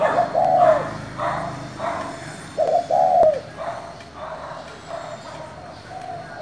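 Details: Calling spotted dove in the 'thổ' style, meant to provoke other doves. Low hollow coos sound at the start and near the three-second mark, amid repeated soft rustling or tapping bursts and fainter distant cooing.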